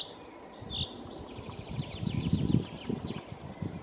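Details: Common chaffinch song, faint: a quick run of bright, sharp notes tumbling downward for about two seconds and ending in a short flourish, over a steady low rumble.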